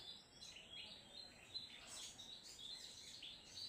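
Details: Sogon trotol (crimson sunbird) singing vigorously, stringing together thin rising chirps and high twitters that grow denser and brighter midway, over a quiet background.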